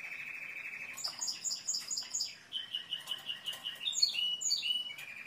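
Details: Timbrado canary song: a smooth low rolled trill, then clipped repeated high notes, followed by a steady pulsed roll with quick higher flourishes near the end.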